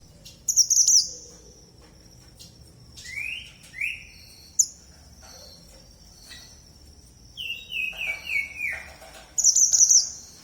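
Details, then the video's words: Red mantenan bird singing very actively: bright, high, buzzy flourishes alternating with short descending whistled slurs and a cascading series of falling notes, over a steady high-pitched ringing tone in the background. "Burung Mantenan Merah Super Gacor"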